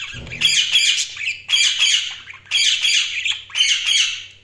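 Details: Close budgerigar chirping in four loud bursts about a second apart, each a harsh, high, rasping squawk broken into quick pulses, with a soft low hum behind.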